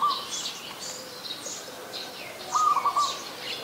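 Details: Adult zebra dove in Ubon Ratchathani, Thailand, 24 February 2022: two short stuttering, trilled coos at mid pitch, at the start and again after two and a half seconds, among high chirps from other birds.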